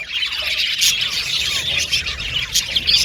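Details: Aviary budgerigars giving squeaky squawks and rapid chirps, with several sharp, very high notes punctuating the crowded chatter.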